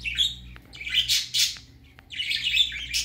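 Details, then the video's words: Baby budgerigar on its first time going out, giving bright chirps and warbling chatter in high-pitched bursts, a pause near the middle, then a dense run of scratchy twittering, with a low steady hum underneath. "Baby parakeet first time go out"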